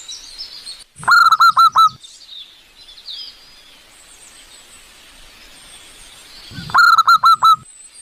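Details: Wild local zebra dove calling in nature, recorded as a lure: a quick phrase of four clipped, resonant cooing notes, repeated after several seconds of quiet with faint background hiss.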